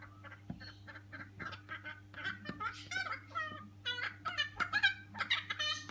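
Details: A colony of noisy friarbirds visiting a garden for a flowering Little John tree, calling loudly in raucous, cackling, gabbling phrases of harsh nasal notes, several birds overlapping, over a constant low electrical hum.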